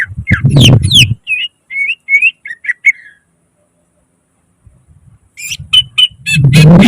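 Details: Greater green leafbird, its song full of inserted mimicry, used to stimulate reluctant singers: a short series of slurred whistles between loud low rumbling handling noises at the start and end.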